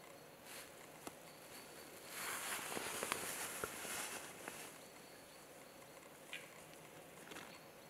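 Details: Western capercaillie at its spring 2020 lek in Finland gives its courtship display: a few sharp, dry clicks, then a rushing, scraping hiss lasting about two seconds, over a faint outdoor background.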